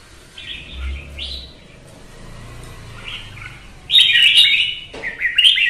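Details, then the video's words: Caged red-whiskered bulbul singing competitively in Vietnam, kept by bird hobbyists: soft warbled phrases early, then a loud burst of bright, rapid, chattering notes near the end, with sharp clicks and low background rumble. "CHÀO MÀO | Kè kích chim hót đấu kích ché căng lửa"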